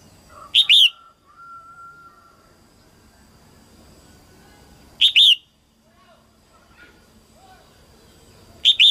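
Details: Female red-whiskered bulbul, early 2022 season, singing to stimulate males. Short explosive two-note whistled phrases recur roughly every four to four and a half seconds, three in all, with a faint steady tone and soft background noise.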